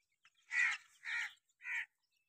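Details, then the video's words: Grey francolin chicks, called Dakni Irani teetar, giving three loud, harsh, raspy calls in quick succession, each a broad burst lasting about a quarter second, with short silent gaps between and an otherwise quiet background. "Dakni irrani teeter chiks / teeter sound / teeter ke awaz"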